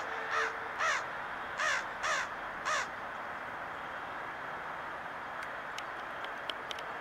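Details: Blackbird in Little Falls, Minnesota, 13 September 2022, begging at a truck for Cheez-It crackers, giving five harsh, nasal caws about half a second apart, then falling quiet; a few faint ticks follow.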